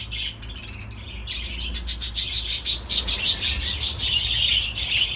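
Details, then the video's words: Budgerigar song starting softly, then turning into a fast run of sharp clicking, ticking notes mixed with buzzy chirps, repeated several times a second, over a low hum. "تغريد طيور الحب االبادجي"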